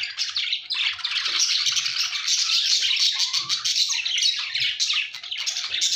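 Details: Chirping budgerigars keep up a dense, continuous warble of raspy notes and high squeaks, several birds overlapping, with a few soft rising whistles.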